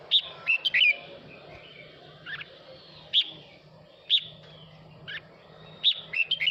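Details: Male red-whiskered bulbul calling its flock with song: bright, clipped whistled notes in short bursts roughly every second, some in quick doubled groups, over a faint steady low hum.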